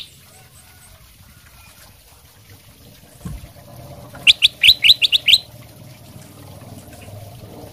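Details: A kutilang emas bulbul in full song, used as a lure call to draw an answering response, gives a quick burst of about seven bright, high chirping notes in just over a second, over a faint steady background hiss.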